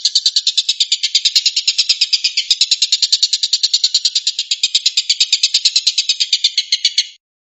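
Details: Collared kingfisher (tengkek buto) in the rapid 'tembakan' (shooting) song style: a long unbroken run of harsh, buzzy notes, about eight per second, steady for seven seconds, then abrupt silence.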